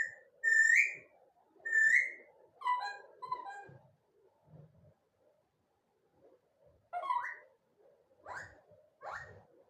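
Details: Pet rose-ringed parakeet talking nonstop: bursts of harsh, harmonic, speech-like phrases and whistled notes in groups, with short pauses between, a quieter gap mid-clip, then three more rising squawky syllables; indoors, no other sounds.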